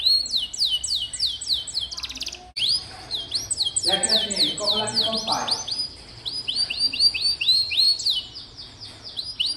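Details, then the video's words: Canary song used to encourage young canaries to sing: repeated falling whistles in quick series and a brief buzzy trill, a sudden break, then more whistled runs with a lower harsh, voice-like sound mixed in midway. "Suara burung kenari bikin hati senang, dan masteran burung kenari muda dan jarang bunyi"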